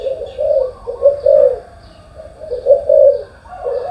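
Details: Spotted dove calling in the morning, low soft coos grouped into two loose clusters separated by a quieter stretch.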